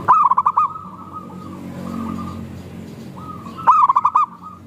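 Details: Two bursts of rapid, rolling cooing from a local zebra dove, about three and a half seconds apart, over a bed of quieter cooing from other doves. The recording is used to prompt doves to sing.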